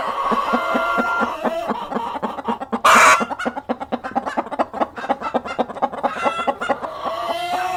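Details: Hens and a cockerel cluck in rapid, rhythmic pulses. A short, harsh burst of noise near the middle sounds like flapping wings, and then the clucking carries on.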